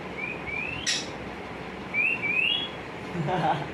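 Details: Parrot chick being fed by an adult, giving thin rising whistled calls, two short upslurred series about two seconds apart, over a steady hiss with a brief rustle and low murmuring.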